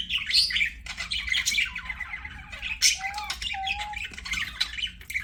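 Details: Singing budgerigars at play: a scratchy warble of mixed squawks and chirps, with two low clear whistled notes in the middle.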